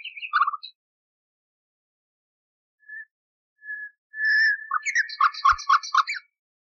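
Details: Common nightingale song from an old, cleaned recording used to train canaries: a short chattering phrase, quiet separate whistles, then a loud rising whistle and a fast repeated trill of about six notes.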